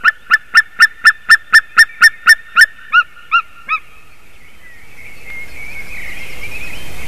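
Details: White-tailed eagle, recorded 28 March 2019 at 06:26, gives an even run of yelping notes about four per second that slows and fades after three and a half seconds, followed by rising windy noise with faint twitters.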